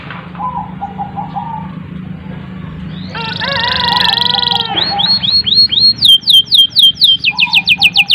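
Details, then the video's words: A canary gives a long, continuous song, used to prompt young canaries to sing: faint warbles, then a sustained buzzy trill, followed by loud, rapid, repeated downslurred whistles at about four per second. "suara burung kenari gacor panjang | Pancingan kenari paud dan macet bunyi"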